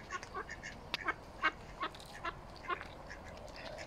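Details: First swim of nine mallard ducklings alongside the parent ducks at Smithspool in Fenton, April 15 2022; soft rapid peeping, several notes per second, mixed with short harsher calls.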